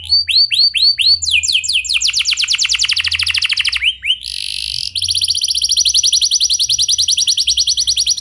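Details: Clear rolling canary song used to get other canaries singing; a few slow rising whistles, then rapid trills, a short buzzy burst, and a long fast even trill.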